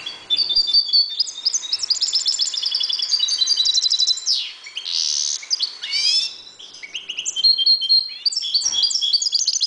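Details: Breeding European goldfinches in a 1.20 m cage pour out continuous high twittering song. It mixes metallic chiming notes, buzzy trills and quick downward slurs, and is loud and varied throughout.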